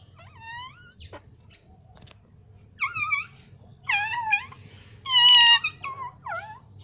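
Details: Pet parrot said to mimic the words "mummy papa": short nasal, harmonic voice-like phrases, some bending upward then falling, given in several separate bursts with quiet gaps in a calm indoor setting.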